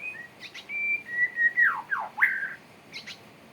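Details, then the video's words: Male white-rumped shama courting: clear whistled notes held level, then sweeping downslurs and a rising whistle, with a few faint chirps. "Rayuan murai batu jantan"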